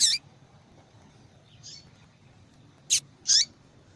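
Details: Female yellow-bellied seedeater calling a lot: high, harsh chirps, one faint distant note, then a quick pair of sharp calls, the last sweeping downward into a lower tail.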